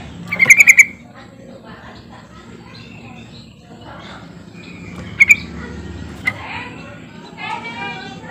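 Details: Lure call of a yellow-vented bulbul aimed at getting silent birds to sing: one rapid bubbling phrase of bright notes, later a couple of brief chirps, against a noisy low background.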